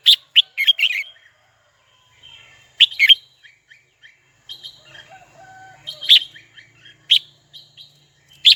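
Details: Caged red-whiskered bulbul singing to call a rival: an opening rush of quick whistled notes, then single loud chirps spaced a second or so apart, with softer notes between.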